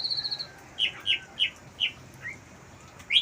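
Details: Terrace-kept Asian pied starling sings borrowed wild-bird phrases: a fast high stutter, then four separate bright downslurred chirps spaced about a third of a second apart, with a rising note at the end.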